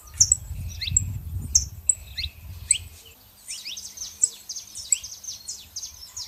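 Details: Saffron finch pair, female and male, giving scattered high sharp chirps over low rumbling noise at first, then a quicker burst of descending high notes near the end.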